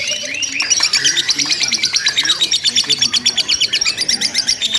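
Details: Lovebird chattering continuously in a simulated contest: a short whistled opening, then rapid high, sharp chirps in a steady pulsing run, with soft lower sounds in the background.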